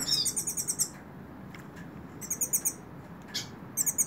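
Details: Hooded siskin singing in the hand: fast strings of very high, chattering repeated notes, broken by short silences and a single buzzy chirp, then resuming with more high rapid notes.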